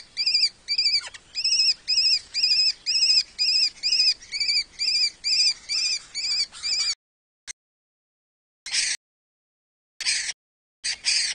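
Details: Lesser kestrels (Falco naumanni) mating at a nest-box colony in Cabañeros National Park, Castilla-La Mancha, Spain: a steady series of harsh, rasping copulation calls, about two per second, then a few scattered bursts after a pause.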